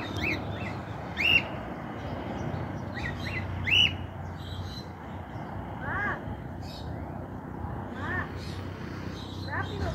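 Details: Cockatiel living free after escaping, perched on a rooftop outside its usual range; two sharp arched whistled calls a few seconds apart, with softer lower chirps from other birds later and steady background hum.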